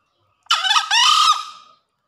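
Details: Single crow of a male green junglefowl, in breeding condition, calling after heavy rain: a clipped buzzy first syllable followed by a longer grating syllable that trails off, with quiet surroundings.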